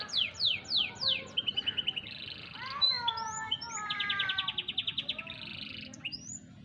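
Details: Young canary, four to five months old, giving a full performance on 28 July 2020: loud descending whistled sweeps, then ringing rapid trills, rising slurred notes and long even rolls of quick pulses, crisp over faint hum.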